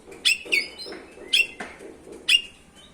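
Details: Oriental magpie-robin (kacer) lure sound meant to provoke rival kacer: three sharp, bright chirps about a second apart over a soft, muffled background.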